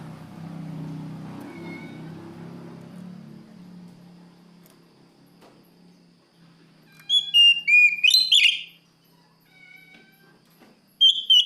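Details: Oriental magpie-robin singing to draw a rival. Several seconds of low background rumble give way to a short burst of whistled, swooping notes and chips, with another phrase starting at the end.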